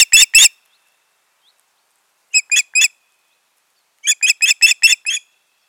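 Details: Osprey calls from a pair on their nest, 14.6.2019: three loud whistles, a trio of piping notes after a pause, then a run of about seven sharp cheeps.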